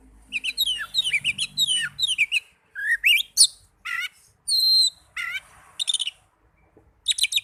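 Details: Oriental magpie-robin singing as a lure for caged birds: a fast varied stream of slurred whistles, sharp chirps and buzzy notes, then a clear high whistle and more scattered phrases.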